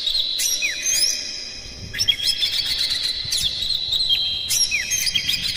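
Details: Oriental magpie-robin song played to provoke other magpie-robins into singing: continuous, dense, high warbling of sustained whistled notes, rapid chirps and short downslurred sweeps, with louder bursts near the start, middle and end.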